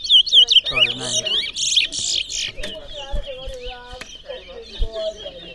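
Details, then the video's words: Competition song of a towa towa, or large-billed seed finch, in Berbice: sharp looping whistles and rapid trills at the start, continuing as quieter twittering while voices and handling noises sound nearby. "Towa Towa Bird Singing Competition in Berbice"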